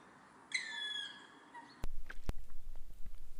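A Black Woodpecker gives one drawn-out, ringing, slightly falling note, rich in overtones. Dull thuds and broadband noise follow.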